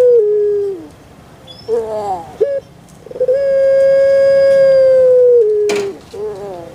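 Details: A kept puter pelung dove ends one falling note, gives rough gurgled syllables, then a long steady drawn-out coo that drops at its close, with a brief burst of noise afterwards.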